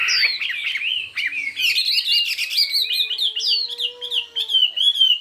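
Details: Chinese hwamei in a singing contest, pouring out rich, varied whistled phrases and warbles, while a faint steady low tone sounds in the background midway.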